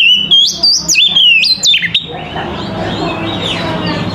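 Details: Morning song of an Oriental magpie-robin, a series of loud whistled notes with abrupt upward and downward pitch jumps in the first two seconds, followed by quieter warbling against background hum.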